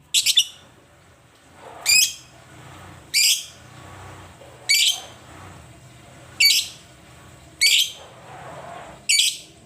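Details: Lovebird uttering a long series of seven piercing, raspy chirps at uneven gaps of about one to 1.5 seconds, with low background noise between calls.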